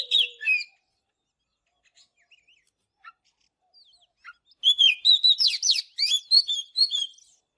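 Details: An Oriental magpie-robin singing in the morning opens with a short whistled phrase, falls almost silent with a few isolated chips, then bursts into a rapid, richly varied sequence of clear whistles and slurs.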